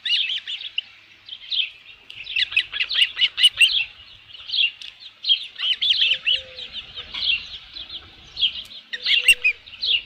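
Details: Ospreys at the Dunrovin Ranch nest on 27 June 2018 around 12:48 PM with a headless fish; dense, rapid high chirping runs in overlapping bursts, whistled and piping, with short pauses between flurries.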